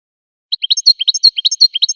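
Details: Wild American goldfinch singing a brief burst of varied, sweet high twitters and slurred chirps with no pause between notes.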